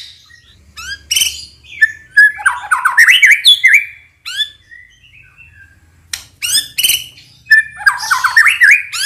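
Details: White-rumped shama lure song meant to provoke other shamas into emotional, krayer-style singing, also for tutoring young birds, morning; loud varied whistles, rising sweeps and scratchy chirps in two rapid bursts separated by brief pauses.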